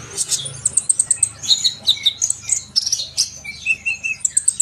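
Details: Sunbird song, offered as a sound to get young trainee birds singing: rapid high chirps and thin whistled notes, with short trills repeated several times a second and a few falling slurred notes.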